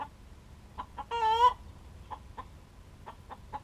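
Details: Egg song of a pet chicken: short clucks in uneven clusters, then a loud, harsh, sustained squawk that rises at its end, followed by more spaced clucks over a low background hum.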